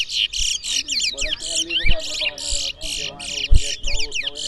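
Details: Twa-twa in a singing race at a bird ground in New Amsterdam, Berbice, Guyana: a fast run of bright, buzzy, repeated warbled notes and rapid slurred whistles, with low thumps and people murmuring in the background.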